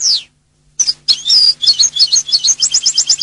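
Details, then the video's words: European goldfinch singing: a high falling whistle, a pause, then a fast, liquid twittering run of bright chirps and trills repeated about three per second. "Jilguero canto del cardellino"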